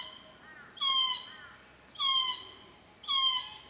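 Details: Glossy black cockatoos feeding in Casuarinas at Cootharaba. Three loud, rasping, falling calls roughly a second apart, with softer wavering calls from a second bird in between.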